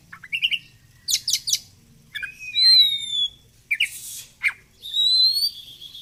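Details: Caged oriental magpie-robin in full song, mixing short buzzy chips, bright rattling bursts and long pure whistles that glide and waver, over a faint low hum.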